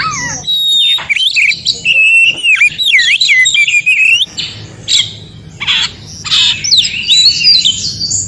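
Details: White-rumped shama song, described as an original forest recording, used as therapy to make silent shamas respond and sing: loud fluid whistles, rising and falling slurs and sharp chips, with faint low background rumble.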